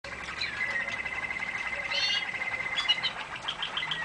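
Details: Waterslager canary singing in a song-training recording: steady rolling trills held around one pitch, with brief higher bubbling flourishes and fast pulsed notes layered over a faint hiss.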